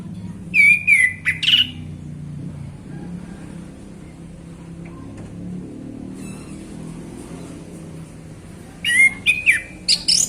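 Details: Male orange-headed thrush singing relaxed in the afternoon, likely caged: two bursts of clear whistled phrases with sharp upslurred and downslurred notes around a steady mid-high pitch, separated by a long quiet gap with low background hum.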